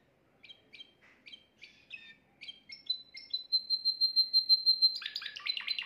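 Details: Timbrado canary, the keeper's best bird, recorded at home the previous day as a faultless song for teaching young canaries; short chirped notes repeated in quick groups, then a long steady whistled tone lasting over a second, ending in a rapid rattling trill.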